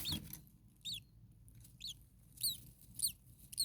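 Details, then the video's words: Common starling chicks in a very hot attic nest, parent nearby: about six piercing, high, downward-bent squeaks spaced roughly half a second apart, after a brief low thump at the start. "Starling baby birds very hot. Day 2 Nest 2. Mama bird was close by making some noises."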